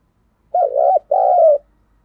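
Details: Decoy spotted dove calling to lure wild doves, cooing in the 'thúc gù' style: two low, breathy coo notes in quick succession, the second slightly longer, separated by a short gap against a quiet background.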